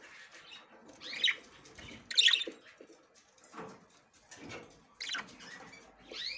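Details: Budgerigar hen inspecting the nest box for the first time while ready for mating; scattered sharp, upswept chirps and warbles with soft rustling between them.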